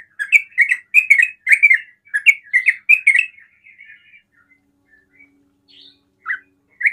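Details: Rapid 'ropel' song of a sooty-headed bulbul that draws other bulbuls to call; a dense burst of bubbly notes for three seconds, then softer scattered chirps and one last liquid note.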